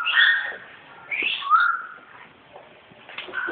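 A parrot gives about three drawn-out, bending meows in a few seconds, mimicking a cat. Each is a nasal, whistled tone with light background hiss.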